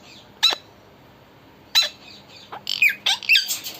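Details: Talking parrot at home giving two isolated sharp squawks, then a quick cluster of harsh, high, falling calls near the end of a four-second stretch, in a quiet background.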